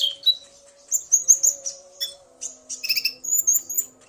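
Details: Common iora male and female calling back and forth, the male stirred by the female's voice; thin high chirps and whistles in rapid groups, with a faint steady low hum beneath.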